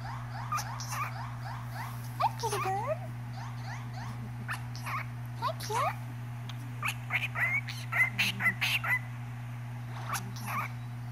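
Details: A pet cockatiel singing and talking to a cat, chattering in quick bursts of chirps and whistled, rising and falling notes over a steady low hum.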